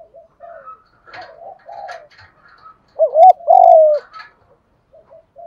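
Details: Spotted dove cooing, played to stir newly caught caged doves into cooing and fighting. After faint, broken calls from other doves, a loud two-part coo comes: a short wavering note, then a long level note that falls slightly at its end.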